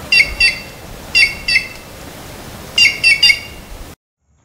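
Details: Red-cowled Cardinal, common in the Caatinga region, gives three short phrases of clear, slightly rising whistled notes in twos and threes, spaced about a second apart, then silence.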